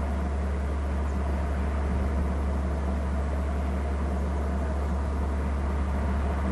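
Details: Only a steady low engine-like rumble and hum, with no animal sounds.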